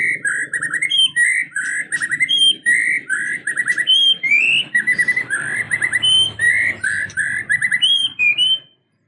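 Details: White-rumped shama, a caged bird described as suddenly fighting and emotional, pouring out a continuous varied song of rich whistled phrases, slurred notes and high trills, with low background rumble.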